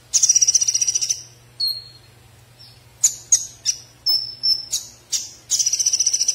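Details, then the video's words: Konin giving a varied song: fast rattling trills at the start and end, between them slurred high whistles, a level sustained whistle and a run of sharp staccato chips. "SUARA KONIN SUPER JOSS"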